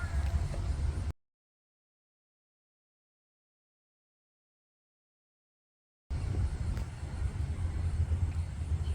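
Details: Low rumbling room or vehicle noise, broken by about five seconds of total silence in the middle before the rumble returns.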